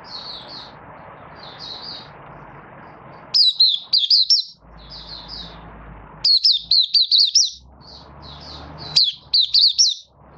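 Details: Caged Oriental white-eye of Malaysian origin, not yet in form, building form in a minor moult, 24 August 2023: soft high chips, then three loud bursts of rapid looping twitters, with low background rumble between them.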